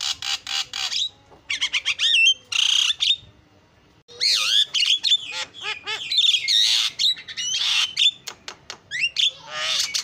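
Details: Javan myna in full, energetic song with isian fill-in phrases: harsh raspy bursts mixed with rising and falling whistles and rapid clicks, a short pause near four seconds, then dense chattering to the end.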